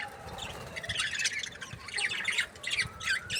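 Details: Budgerigars from breeding pairs giving quick bright chirps and rough squawky notes in close succession, several birds overlapping, with faint low bumps beneath.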